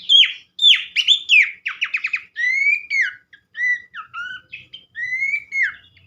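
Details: Horsfield's Babbler song played as training therapy to make other babblers sing: loud clear whistled phrases, slurred rising and falling notes mixed with quick rattling runs, short pauses between, no background noise.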